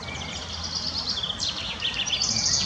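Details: Spotted Flycatcher in the Munich Botanical Garden giving thin, high, scratchy chips and a sharp downslurred note, over a steady hiss of outdoor background noise.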